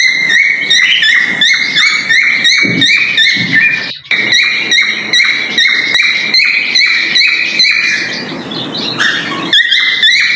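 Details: Male cockatiel giving its mating call during breeding: a steady run of short, clear whistled notes with rich overtones, stepping up and down in pitch at a quick, uneven pace, with a brief pause near the fourth second.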